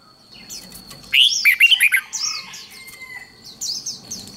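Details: Red-whiskered bulbul contest song used to train birds for singing competitions: one loud, quick burst of bubbly, warbled notes sliding up and down, with fainter high chirps from other birds and a steady high whine behind.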